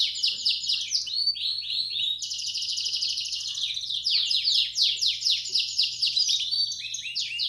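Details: Belgian canary bell-style song to stimulate chicks: continuous loud high trills, a bright buzzy roll, then rapid repeated downward-sweeping notes, over a faint low hum.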